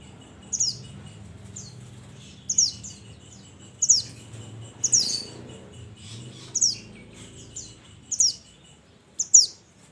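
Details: Mountain minivet calling its companions: sharp, high, thin descending notes in short bursts, repeated roughly every one to one and a half seconds, with a faint low hum beneath.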